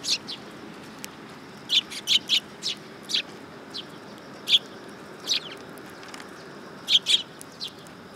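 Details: Sparrow injured on the head above its beak, filmed 20 August 2022 at a Tenmangu shrine in Japan; sharp high chirps in irregular bursts, singles and pairs, against quiet background.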